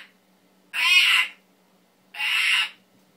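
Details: A pet male Timneh African grey parrot gives two harsh, buzzy squawks, each about half a second long, spaced roughly a second and a half apart, in a quiet indoor setting with a low steady hum.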